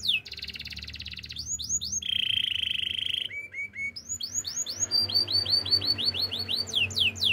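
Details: Canary singing a varied song: buzzy rolled trills, steady high whistled notes, and a run of fast repeated upswept chirps in the second half, over a low background hum.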